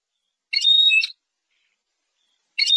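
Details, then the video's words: Short phrase from a Persian European goldfinch: a half-second burst of twittering with a clear whistled note, a pause, then another phrase just beginning. "Persian goldfinch songs اواز سهرهاي اروپاي"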